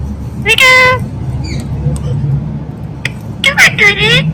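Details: Pet Indian ringneck parakeet known for talking, uttering a strong harmonic, nasal, voice-like phrase early, a few faint notes in the middle, then a cluster of wavering, speech-like syllables near the end over a steady low hum.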